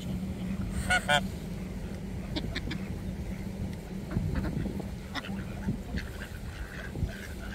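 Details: Greylag goose begging for food at Queen Pool, Blenheim Palace, Woodstock, Oxfordshire, UK; two short nasal honks near the start, then fainter scattered calls over a steady low hum.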